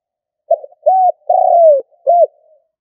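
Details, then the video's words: Decoy spotted dove giving a stuttering 'cà lăm' coo: a brief clipped note, then a short hollow coo, a long sliding coo that falls at its end, and a final short coo with a soft trailing murmur, in otherwise clean silence. "Cu gáy mồi gù cà lăm"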